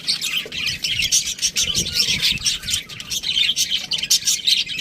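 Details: Budgie chatter fills the recording with rapid, high-pitched chirps and scratchy trills packed tightly together in steady bursts, with no other clear sounds.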